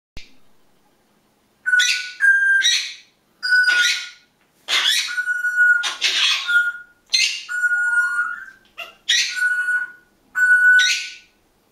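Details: Pet grey parrot giving its alarm call after seeing someone walk past the end of the garden: eight harsh, grating screeches, each about half a second long and roughly a second apart, with a shrill whistled edge.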